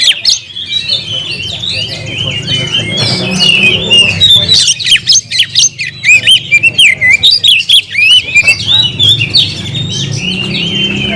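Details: Long, busy oriental magpie-robin song meant to call an opponent to fight, with warbled whistles, twisting slurs and squawky notes running almost without pause over a low background hum.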